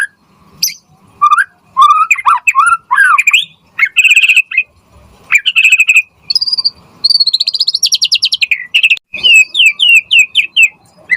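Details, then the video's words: Energetic white-rumped shama song, a lure to provoke shamas to respond and learn: varied rising whistles, buzzy bursts, a fast rattling trill, and then a row of quick downslurred notes. "Pancingan Murai Batu Gacor Auto NYAUT cepat RESPON Buat Masteran Burung Murai Agar Gacor Full Isian"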